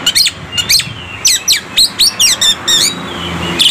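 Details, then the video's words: An Oriental magpie-robin sings a rapid, varied run of sweet, sweeping whistles and chirps, about three notes a second, over a faint low hum; the song is used to lure and provoke other magpie-robins into singing. "KACER FULL MATERI BIKIN EMOSI"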